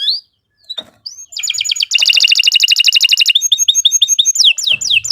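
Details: Canary song used as a master recording for training other birds: a few scattered rising whistles, then a loud rapid rolling trill, followed by quick chattering notes and sharp sliding whistles.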